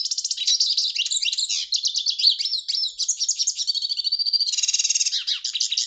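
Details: Lively hooded siskin song of rapid high chirps and twittered trills, including a drawn-out buzzy note and a faster rattle of repeated notes near the end.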